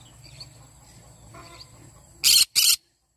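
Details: Yellow-sided conure in the morning, a quick pair of loud, rough shrieks at the end after soft background murmuring.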